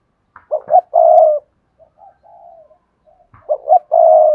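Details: Cườm Sa song from a spotted dove with a hạp bổi voice: two short coos leading into a long strong coo, soft murmured coos, a brief pause, then the phrase repeats. A faint click sounds between phrases.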